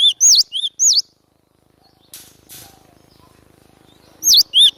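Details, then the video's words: Gelatik batu, the cinereous tit, in full lure song for trapping its own kind: quick high whistled two-note phrases at the start and end, separated by a quiet pause with faint rustling. "Burung glatik batu gacor suara pikat paling di cari"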